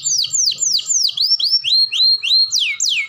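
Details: Clean canary song used to train other canaries: loud swooping whistles, first V-shaped dips and then rising slurs, repeated steadily about every third of a second.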